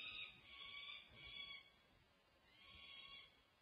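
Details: Peregrine falcons at a UC Berkeley nest during a feeding on 1 June 2024, with the male dropping in beside the female and young. There are two hoarse, drawn-out wails separated by a quiet pause.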